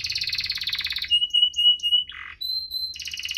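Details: Canary singing 'ngerol' rolls and whistles, a prompt for reluctant singers: a rapid buzzy trill, a clear level whistle with short high flicks, a low harsh burst, then another whistle and a fast roll.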